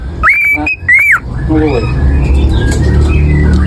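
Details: Oriental magpie-robin singing a canary-imitating song: two loud, slurred whistles, each rising then falling, followed by softer rasping notes over steady broad noise.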